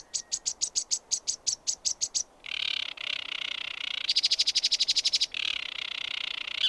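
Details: Sedge warbler song: fast runs of dry chattering notes, then harsh buzzy churring stretches and rapid rattling trills, all high-pitched and varied, with no other clear sounds.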